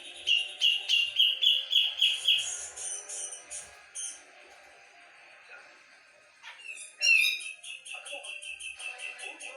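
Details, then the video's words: Javan black-capped bulbul, a cucak jenggot from Java, singing energetically: a run of loud, rapidly repeated bright whistled notes, a quieter twittering stretch, then a sudden rising burst followed by fast chattering phrases. "Cucak jengot gacor volume tembus"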